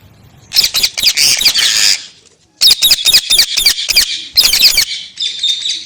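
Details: Loud, harsh parrot squawks in rapid strings of five or six notes, broken by a short silence, each burst rasping and high-pitched.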